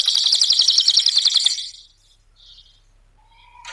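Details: Cililin singing as a training lure. A dense burst of very rapid, sharp, high ticking notes lasts about a second and a half, then fades to near silence with faint distant chirps.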